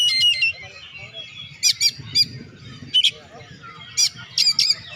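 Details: Oriental magpie-robin singing, played to coax lazy birds into song, with sharp squeaky bursts and short whistles spaced by brief pauses, low background rumble throughout.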